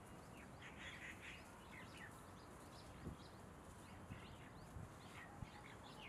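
Asian green bee-eaters give short, high chirping trills in loose clusters throughout, over a steady low rumble of wind or background noise.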